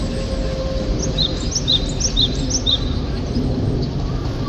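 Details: In spring, a Japanese tit calls for a mate with a quick series of about four high two-note whistles, each sliding down. The notes come roughly twice a second over constant low background noise.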